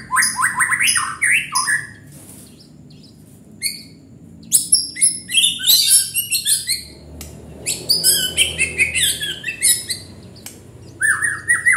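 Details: White-rumped shama delivering energetic song, rapid clusters of sharp high notes and falling whistles, alternating with short quiet spells and ending on a clear downward whistle.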